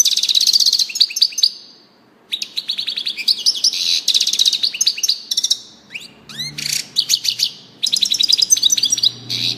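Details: Nearly continuous European goldfinch song of rapid, high twittering. It includes sweeping upslurs, fast trilled runs and short pauses between phrases, with a faint low hum partway through.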